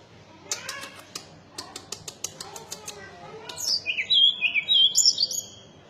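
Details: Series of dry rapid clicking taps, then a mountain tailorbird breaks into a loud run of high, thin whistled notes, rising and falling slurs packed closely together.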